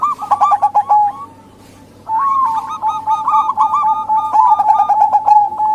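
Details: Zebra dove lure calls, local and Bangkok birds, meant to entice males and wild doves; rapid rolling coos, a brief quiet gap, then a dense stretch of overlapping quick notes from more than one bird.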